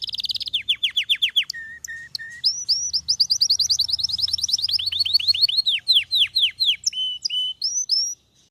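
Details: Belgian canary delivering a long run of loud, repeated downslurred notes, broken by three short flat whistles, then a sustained sequence of swooping notes at varying speeds, ending abruptly.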